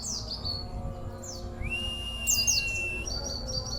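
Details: Local Oriental white-eye kept in a cage, singing its unusual, powerful song: scattered high chirps, a long, flat whistle held over a second, a bright squeaky burst, then short, stepped notes.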